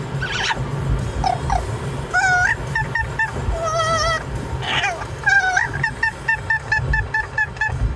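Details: Pet parrot singing and making noise inside a car: a run of harmonic whistles, some wavering and warbled, some short and clipped, pulsing rhythmically, over steady low engine rumble.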